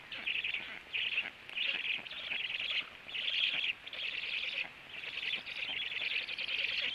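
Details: Black stork at its nest in the evening, 18:16, as the male comes home, feeding and then flying to an upper branch; raspy, wheezy bursts about half a second to a second long, repeated almost continuously with short gaps.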